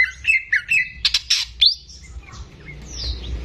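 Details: Gacor greater green leafbird singing for use as a tutor for young birds: a run of quick chirped whistles followed by harsh buzzy notes, then fading softer phrases.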